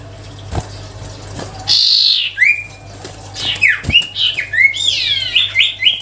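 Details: Sirtu cipow songbird in melodious gacor song: a harsh buzzy burst, then a quick run of sharp whistled notes that sweep downward, repeated several times per second, with a faint low hum beneath.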